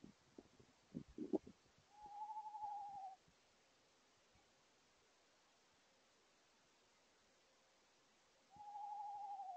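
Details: An owl stopping in a tree at night and calling out to a second owl. Two steady, slightly wavering trilled notes about a second long each, separated by a long quiet gap, with faint rustles at the start.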